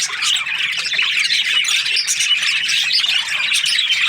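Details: Australian budgerigars chirping in breeding season, a crowded mix of quick scratchy chirps and warbled squeaks, continuous and fairly loud throughout.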